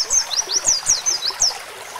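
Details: Oriental white-eye, sung in the roll tembak style with canary-song fill-ins (isian kenari) and used to train songbirds: a rapid run of thin, high, sharply sweeping whistled notes, about eight in two seconds.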